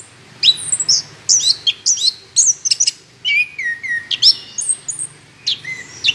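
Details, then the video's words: Orange-headed thrush song recorded as a lure to start other birds singing: quick sequences of bright whistles, rising and falling slurs and buzzy chips, pouring out in dense bursts. "pancingan anis kembang gacor"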